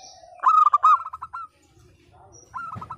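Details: Local zebra dove song used as a lure for silent doves: a loud rolling phrase of quick pulsed notes trailing off into softer beats, then a quieter phrase begins, light low noise behind.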